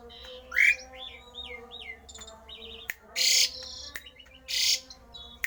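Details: Javan pied starling singing an unusual, rare song intended to make other starlings sing; a rising squawk, a run of wavering whistled notes, then two loud harsh rasping bursts with sharp clicks.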